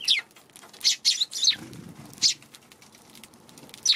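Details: Eurasian tree sparrows feeding on a March 16 afternoon, cautious near a Godzilla figure set beside the food. Loud sharp high chirps come in a quick cluster, then pause before a final chirp, with wing flutters and soft shuffling.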